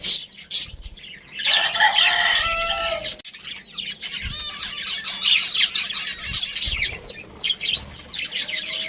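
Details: Budgerigars, a breeding pair with family, chirping: quick high chirps and scratchy warbling chatter, with a louder burst of rapid twittering notes in the middle, then looser chirps and occasional soft knocks.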